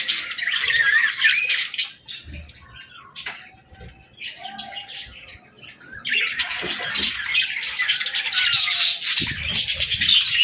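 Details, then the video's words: Baby budgerigars playing and talking, bursts of busy scratchy chatter and warbled chirps from several birds, pausing briefly before resuming loudly, with a faint steady hum. "Baby Budgies Playing & Talking 🐣🎶 | Fun Chirping Sounds"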